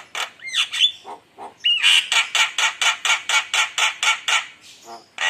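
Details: Javan myna (jalak kebo) lure song to provoke rival birds: a few whistled upslurs, then a long steady series of about a dozen harsh, noisy squawks roughly four per second.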